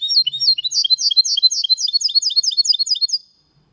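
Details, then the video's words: Goldfinch × canary hybrid singing a clean, error-free song in the Malaga style, recorded in 2022: rapid high twittering notes and chirping trills, about four per second, delivered continuously for three seconds before stopping. "Mixto de Jilguero Cantando Limpio (Video HD)Mulet de Chardonneret X canari /hybrid goldfinch singing"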